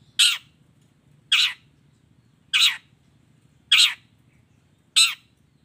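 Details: Long-tailed shrike singing in full voice, a combined song with mimicked fill-in phrases: five harsh, rasping notes, each short and loud, repeated about every second and a quarter over a quiet background.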